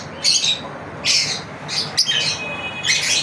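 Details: Lovebirds in a daily routine giving harsh, high squawking chirps in short bursts roughly once a second, some with thin whistled overtones.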